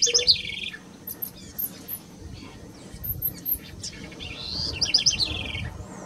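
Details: A house wren in the Esteros del Iberá, Corrientes, Argentina, at Colonia Carlos Pellegrini in October 2016, delivers two quick bubbly bursts of high, jumbled warbling notes several seconds apart, with faint scattered chirps and a low rumble of background noise.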